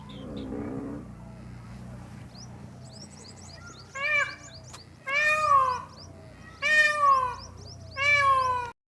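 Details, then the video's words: A peacock gives four loud, nasal, wailing calls, each under a second and spaced about a second apart, with faint high chirps from small birds between them. "Mor Pakhi ki Awaj"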